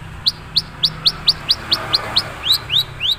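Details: Long-tailed shrike of the Madura type, said to have few mimicked fill-ins yet, giving a fast series of about twelve short, high, downward-slurred notes, evenly spaced and slightly slowing toward the end.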